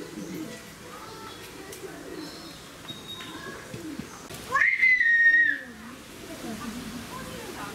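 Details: Indian peafowl in an aviary at a poultry farm's mini zoo in Okinawa, Japan, on 12 May 2019: one loud, sustained, slightly nasal whistled call of about a second, over a background of chattering birds.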